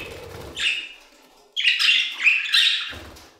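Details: Budgies warbling in an aviary, one brief scratchy phrase, a pause, then a longer run of harsh chattering notes with a bright whistled chirp inside it; faint low rumble at the ends.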